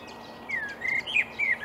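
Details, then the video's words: Marsh warbler singing in reeds on an early May morning in 2020 at Upplands Väsby, Sweden: a short run of clear, slurred whistled phrases that dip and rise, separated by brief gaps, over faint background hiss. "Marsh warbler (Kärrsångare) i Upplands Väsby maj 2020"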